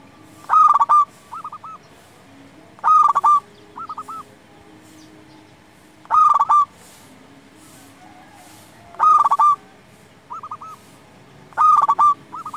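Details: Local Indonesian zebra dove song, played to stir silent or stressed doves to answer: five loud, trilled, wavering coo phrases roughly every two and a half to three seconds, each followed by a softer pair of short notes; faint background hum.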